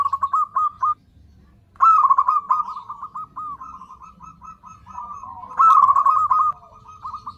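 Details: Zebra dove cooing used as a lure to draw in other zebra doves: soft, rolling trilled coos around a steady mid pitch, delivered in three phrases broken by short pauses, the last phrase rising in loudness.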